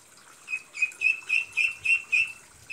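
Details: Young pet ducklings getting used to a new place: a run of seven high, thin peeps, evenly spaced about a quarter second apart, with a faint higher hiss behind them.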